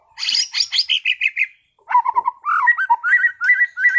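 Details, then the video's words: Competition-class white-rumped shama in full song: a high chattering burst of rapid notes, a pause, then clear mid-pitched whistled phrases repeated in steady pairs, rising toward the end. "MURAI BATU TEMBAKAN ISTIMEWAH gacor bongkar materi kelas lomba"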